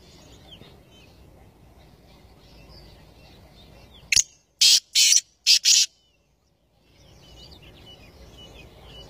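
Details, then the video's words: Black francolin (kala teetar) gives one loud, harsh, grating phrase: a short sharp click, then four rasping broadband notes over about a second and a half. Faint small birds chirp quietly before and after. "Black Francolin (kala Teetar ) Amazing Voice || Black francolin voice || Kala teetar sound"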